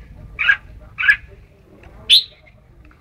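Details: Red-whiskered bulbul gives two husky, burred notes half a second apart, then a clear, sharp, ringing chirp and the start of another at the close; steady low background rumble.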